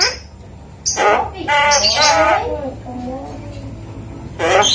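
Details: Asian pied starling (jalak kebo) imitating human speech: a harsh squawk, then a run of voice-like, harmonic syllables with speech-like rising and falling inflection, closing with another rough squawk.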